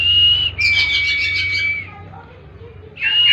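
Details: Kacer, the oriental magpie-robin, giving 'tembakan' song for bird therapy: a steady whistled note, then a long clear whistle with a buzzy overlay, a quiet gap, and another whistle starting.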